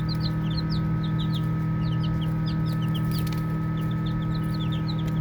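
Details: Baby chicks peeping while playing: many short, high, rising chirps overlap in quick succession. A steady low mechanical hum runs underneath throughout.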